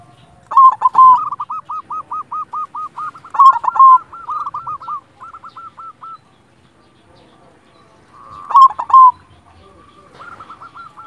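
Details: Zebra dove, a silver-type local bird used as a tutor for lazy singers: loud chattering bursts followed by long, evenly spaced trains of rapid rolling coo notes, repeated three times with brief pauses.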